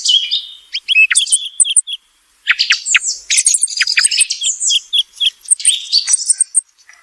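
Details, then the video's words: Thrush heard day and night: a long, lively sequence of varied whistles, quick chirps and harsh buzzy phrases with one clear pause, in a clean recording. "Thrush sound call(tordo) | صوت السمن | صوت السمنة لليل و النهار"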